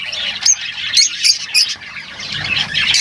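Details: Lovebirds making short, high, squeaky squawks about every half second over a steady background of twittering.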